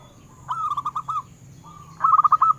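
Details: Local wild zebra dove song meant to stimulate captive doves: a short phrase of five bubbling coos, a brief gap, a soft lead-in note, then a rapid string of rolling coos.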